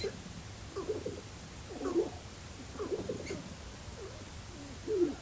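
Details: Sharp-tailed Grouse courtship displays on a lek at Glacial Ridge NWR, northwest Minnesota, in early April after a snowstorm, around dawn, heard from a blind. They give low, hollow clucks and coos about once a second, some with short upward whoops, over a quiet background.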